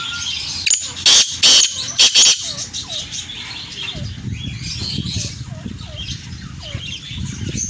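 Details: Black francolin, known locally as kala teetar, calling in the open: a few loud, harsh, grating notes in short-then-long pairs, then softer chirps from other birds beneath steady background noise.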